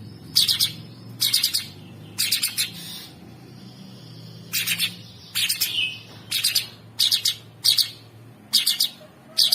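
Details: Masteran tutor audio of a sooty-headed bulbul for champion songbirds, with rough, intense fill. Repeated harsh, rasping bursts come about every 0.8 seconds, with one brief whistled slur midway and a low hum underneath.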